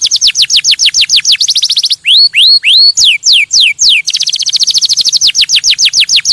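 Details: Canary singing to stimulate and activate other canaries: quick descending note series, a few loud upward-curving whistles, more sweeping slurs, then a dense rapid trill again.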